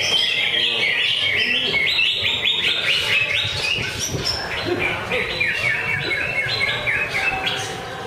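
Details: Greater green leafbird, a caged contest bird singing at a routine Friday practice singing contest: a dense, fast run of high, varied chirped and whistled notes, about four per second, with other birds overlapping and faint murmur of people.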